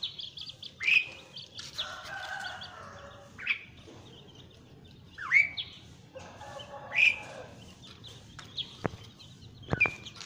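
An Asian pied starling gives loud, harsh chattering calls mixed with sharp rising whistles, in bursts every couple of seconds, with a few clicks between.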